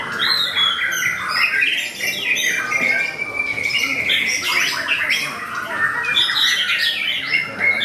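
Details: White-rumped shama (murai batu) at a singing competition, delivering its song in an aggressive fighting style: loud varied whistles, rapid chirps and a drawn-out level note, mixed with surrounding contest birds.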